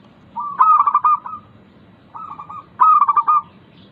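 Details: Local zebra dove song used to get idle caged doves singing: two strong phrases of rapid beaded coos with a quieter rolling phrase between them.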